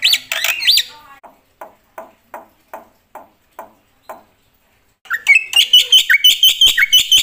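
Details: Black-winged myna song: opening arched whistles, a series of soft evenly spaced clicks, then a fast run of loud, bright repeated notes.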